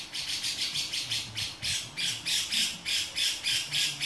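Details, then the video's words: Rasping beset of a male grey-cheeked bulbul: a steady series of rough, noisy bursts, around three to four per second, continuing throughout, with a faint low hum underneath. "Cucak Jenggot Jantan Beset"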